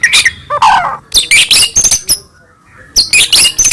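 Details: Caged white-rumped shama singing full, varied song meant to stir other shamas into answering: loud harsh chattering bursts and high squeaky notes in quick runs, with a brief quiet pause midway.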